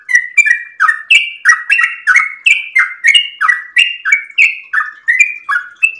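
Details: Yellow-vented bulbul sings at dawn, a long, bubbling run of liquid, slurred notes, about three per second, rising and falling in a lively rolling chatter.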